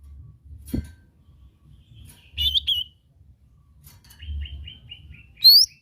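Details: Lesser green leafbird lure song: a knock, then a bright twittered phrase, then a falling string of short even notes ending in a loud high upward sweep, with a low background hum.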